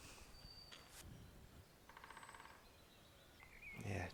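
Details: Territorial drumming by a woodpecker on a spring dawn at Smardale Nature Reserve, used instead of song. One brief roll of quick, regular taps sounds midway, among thin high bird calls and a louder rustle near the end.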